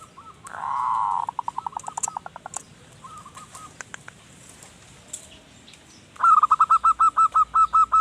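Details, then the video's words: Zebra dove singing as a lure for wild birds: a burst of staccato coos, then a later run of clear, evenly spaced repeated notes, with a rough rushing sound and scattered chirps early on. "Perkutut Manggung Gacor Pas Buat Pancingan Burung Hutan"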